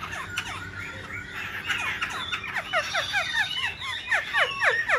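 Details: Kept black-throated laughingthrush, said to sing all day, delivers a fast, busy stream of varied whistled and slurred notes, many steeply falling, over low room hum.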